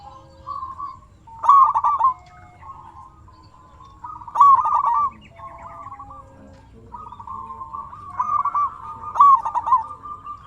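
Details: Local zebra dove, a strong singer, cooing to prompt other doves to answer: bubbling, trilled low coos in phrases every few seconds, each with a sharp stuttering burst, over a faint low hum.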